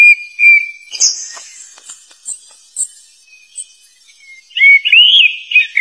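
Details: Wild black flycatcher with its loud, rival-attracting voice: a steady whistle opens, then faint high ticks, ending in a loud, quick, twisting warble.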